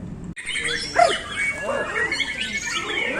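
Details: A White-rumped Shama (murai batu) sings a rich, fast run of varied whistles and sliding notes, high and low, while a man talks over it.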